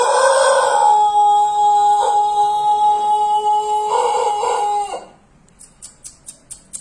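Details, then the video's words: Pelung chicken giving a long crow: a steady, drawn-out harmonic note held about five seconds with a few brief pulsing breaks. It cuts off abruptly and is followed by a run of sharp, regular clicks. "suara ayam pelung berkokok panjang"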